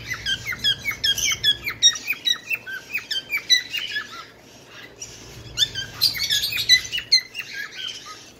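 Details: Bengalese finch giving rapid series of short, sharp downward-sliding chirps, about two per second, in two bursts separated by a brief pause, with softer buzzy notes mixed in.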